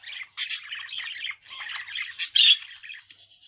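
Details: Budgerigar, a pet, chatters in scratchy buzzy notes and harsh squawks, with a loud burst near the middle and a thin whistled tone trailing at the end.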